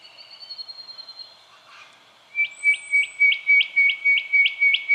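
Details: Spotted quail-thrush, Victoria, Australia, January 2012: faint high whistles, then a loud, regular series of about nine short, thin upswept notes roughly three per second.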